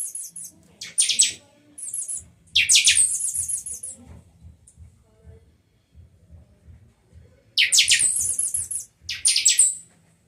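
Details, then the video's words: Buffy-fronted seedeater (pixoxó) from Rio de Janeiro singing in the chanchão matildas style with a viração phrase: loud, very high buzzy and metallic bursts, each about a second long, separated by pauses, over a faint low hum. "chanchão canto matildas, viração linda ( Pixoxó )"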